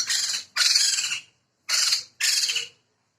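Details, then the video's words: A pair of Sumatran laughingthrushes, male and female, endemic to Sumatra and protected, giving four loud harsh rasping bursts, each under a second, with brief silent gaps between. "Poksay Jambul Sumatera Gacor Jantan dan Betina (Sepasang)"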